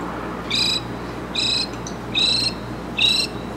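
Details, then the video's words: Mockingbird giving harsh, raspy, buzzy notes, each lasting about a quarter second. Four of them come at an even pace of nearly one per second, with a low hum in the background. "Mockingbird in Concert!"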